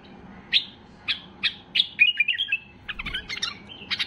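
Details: A white-eared bulbul at peak excitement sings five bright, slurred notes about half a second apart, then a hurried jumble of liquid chirps, over a quiet background. Its song is used to prompt other bulbuls to sing.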